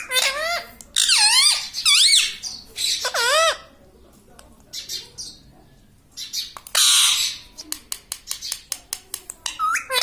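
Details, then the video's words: Talking pet parrot, reputed to say "mitthu mitthu" and "mummy", giving a quick series of loud dipping, word-like syllables, a harsh noisy burst, then a rapid train of sharp clicks or taps. "Talking parrot - Mitthu mitthu - Mummy Bolne Wala Tota"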